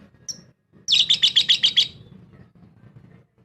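A lovebird gives a fast burst of about eight shrill, squeaky chirps in just over a second, preceded by a single high note; low background rumble.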